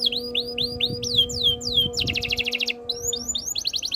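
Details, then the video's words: Canary singing to prompt other canaries: clear down-slurred whistles repeated about three per second, then a rapid pulsing buzzy trill, more slurred notes, and another quick trill. A steady low electrical hum runs beneath. "KICAUAN BURUNG KENARI BIKIN KENARI GACOR DOR ● OCEHAN BURUNG KENARI BIKIN IRI"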